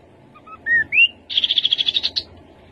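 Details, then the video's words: Rufous-capped babbler song: a few short whistles climbing in pitch, then a fast, even trill of about a dozen high piping notes. "Khướu bụi đầu đỏ. tiếng khướu đầu đỏ"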